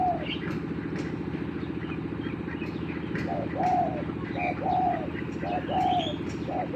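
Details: Lure spotted dove facing a newly trained bird, its low two-part coos coming roughly once a second beneath a loud mechanical drone, with scattered high chirps from other birds and clicks.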